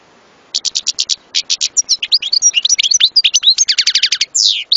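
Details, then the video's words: European goldfinch song opening with evenly spaced sharp chirps, then building into a fast varied twitter with a rattling trill and a final buzzy swept note. "صوت حسون لن تنساه طوال عمرك"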